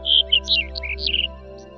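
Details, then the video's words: Black-headed bunting in the Ezousa Valley, Paphos, Cyprus, where it nests in vineyards: one brief, bright phrase of jangling, slurred notes that starts high and drops, lasting about a second, over soft sustained music. "The black-headed bunting, one of Cyprus's most beautiful and melodious birds, nests in vineyards."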